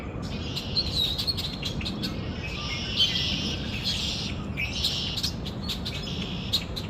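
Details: Birds chirping outside, a continuous mix of high twitters and brief whistles with occasional sharp ticks, over persistent low rumbling noise.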